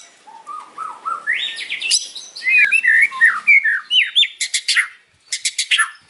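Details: A white-rumped shama sings in the afternoon, starting with low soft whistles, climbing into bright slurred notes, then breaking into quick harsh rattling bursts after a short pause.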